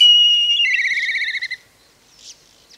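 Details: Black kite (Milvus migrans) giving a high, thin whistle that drops into a rapid quavering, whinnying trill lasting about a second, then fades away.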